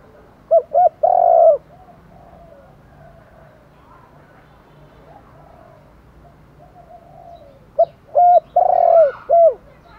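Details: Spotted dove calling at dawn to lure other doves; two clusters of short coos each end in a long coo, with a quiet stretch of faint distant cooing and hum between them.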